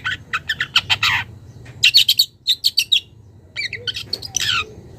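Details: Wild young long-tailed shrike challenging a rival: three bouts of rasping, stuttered notes, about one per second, separated by short pauses, with a quiet low drone behind.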